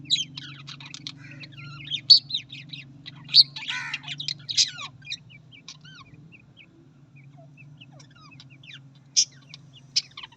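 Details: Lively chattering of Australian parrots, with dense scratchy warbles and upward-sliding whistles at first, then sparser soft chirps and a few sharp squeaks, all over a low mechanical hum.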